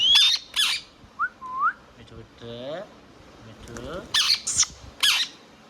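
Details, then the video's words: Indian ringneck parrot making talking sounds: loud shrill squawks open and close, with a quick curved whistle and low, voice-like harmonic syllables in the middle. "Ringneck Parrot Talking Sound"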